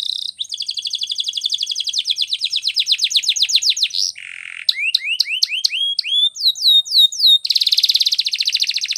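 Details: Male-style canary training song, Spanish Timbrado: a long quick trill of rising notes, a low buzzy burst, clear upswept whistles, then a dense fast rattle closing the phrase.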